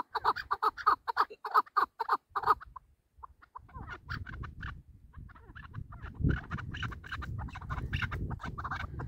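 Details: Hunting chukar partridge delivers a quick burst of clear chuck-chuck notes, then falls quieter while irregular softer clucks continue over rising low rumbling noise.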